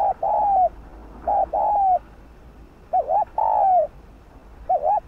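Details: Spotted dove, used as a lure bird to stimulate other doves to coo: low hooting coos, a short wavering double note followed by a longer falling coo, repeated in phrases about every second and a half.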